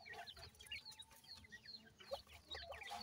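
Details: Young captive teetar partridges and Iranian pheasant chicks being fed, producing a dense chorus of thin, high chirps and quick down-slurred peeps over a steady low background hum.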